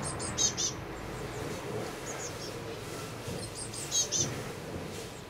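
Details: Blue tits calling at their nest box in May 2020, high-pitched short chirp bursts of three to four sharp notes, one early group and another near the end, with fainter thin notes between against soft outdoor noise.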